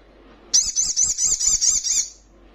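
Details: Young Little Spiderhunter in full song, giving a fast, high-pitched rattling trill for about a second and a half, evenly pulsed and thin, against a quiet background.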